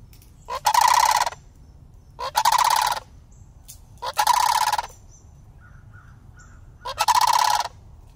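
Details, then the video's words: Two juvenile sandhill cranes, year-round city residents that approached a person, give four loud, rolling, rattly calls, each under a second, about one and a half seconds apart, with faint chirps between. "Two Juvenile Sandhill Cranes"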